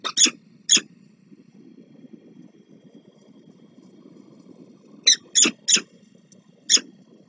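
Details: Peregrine falcons at a nest on the Palace of Culture and Science in Warsaw, Poland, 26 April 2024, as the male delivers food and the female feeds the chicks: harsh, raspy calls in two bursts separated by soft shuffling noise.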